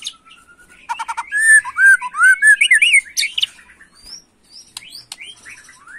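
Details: Agitated white-rumped shama song in the macul style: a soft whistle, a rattling burst, then loud fluty, looping whistled phrases, ending in quieter high upslurred chirps.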